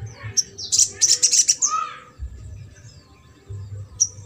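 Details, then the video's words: Trotol-style song of a ruby-cheeked sunbird, played to coax a silent bird into singing: a fast rattling burst of shrill, high chirps lasting about a second, a short lower downslurred note, then quiet with one last sharp chirp. "SOGON TROTOL INI MERANGSANG UNTUK SOGON MACET"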